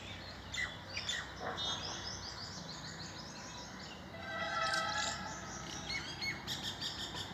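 Common mynas chatter in rapid, overlapping chirps mixed with harsh notes and a few clear, ringing whistles, over steady outdoor background noise.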